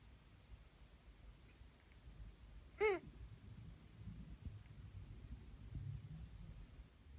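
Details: Female Ringneck dove, almost one year old, kept at home, giving a strange vocalization she has made more often in recent weeks: one short, bright, harmonic note rising then falling slightly, heard once amid a quiet room hum.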